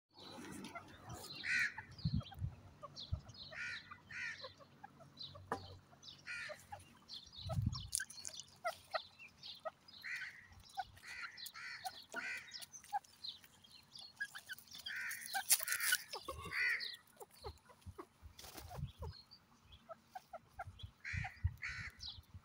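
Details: A francolin, called a teetar (partridge/pheasant), gives harsh, grating notes in quick repeated bursts.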